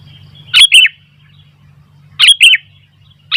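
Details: Sooty-headed bulbul, with wild bulbuls becoming lively in response: two short bursts of bright, warbling chirped notes around the middle register, separated by about a second and a half, over a steady low hum.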